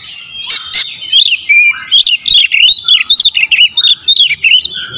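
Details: Magpie-robin 'tembakan rapat' lure song: a nearly unbroken stream of rapid, sweet whistled phrases mixed with sharp clicking notes, packed tightly together for five seconds.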